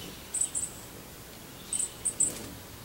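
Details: American goldfinch feeding on sunflower seeds: a pair of high, thin chirps, then a tight group of three quick chirps, over a quiet background.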